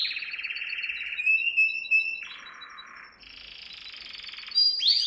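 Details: Canary singing as a model for training young birds: a long even rolling trill, a higher held whistle, a lower buzzy roll, then a bright high trill and a final burst of rising notes.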